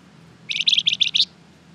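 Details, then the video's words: Energetic flamboyan bird heard as a lure for responding birds: one tight burst of five or six loud, high, buzzy chirps lasting under a second. "Suara pancingan burung Flamboyan gacor terbaik , pasti nyaut"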